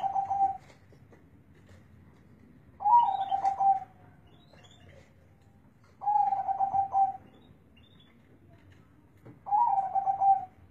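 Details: Zebra dove singing in a big, deep bass voice. Four bursts of quick, throbbing coos sit at the same low pitch, each lasting about a second. They come roughly every three seconds over quiet low hum.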